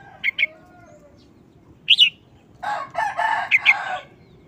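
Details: Caged red-whiskered bulbul showing a short, quick-chopped wild-style song: paired bright whistled notes, a lone rising-falling note, then a burst of rough broadband sound ending in two more sharp whistles.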